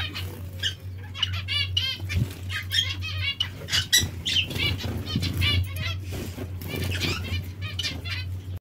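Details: Several pet zebra finches or Bengalese finches during bath time calling constantly with short nasal beeps in rapid overlapping bursts, mixed with flapping wings and splashing, over a low droning hum.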